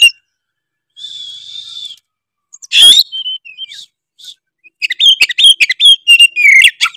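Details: Oriental magpie-robin, Tretes type, singing to rile rival birds: a sustained buzzy note, a loud harsh burst, scattered whistles, then a quick run of sharp whistled and chattering notes.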